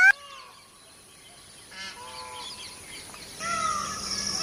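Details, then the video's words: Indian peafowl (peacock) gives three loud, nasal, honking calls over about four seconds, the last one longest and strongest, against a steady high hiss. "Peacock sound"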